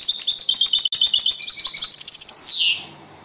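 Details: European goldfinch, a second-place singing champion, performing the copia Malaga style: a rapid, high tinkling twitter of bright chirps, fast rolling trills, then a final descending slurred note that fades out.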